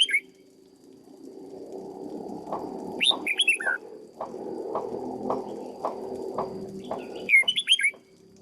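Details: Caged red-whiskered bulbul being trained: two quick phrases of four or five whistled, bouncing notes, one near the start and another near the end, over a steady low electrical hum and a murmur of soft background noise.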